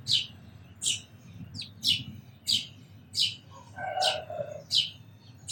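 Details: Sparrow's shrill, downward-sliding chirps recur about every three-quarters of a second, while a lower, buzzy, drawn-out call from another bird sounds once midway.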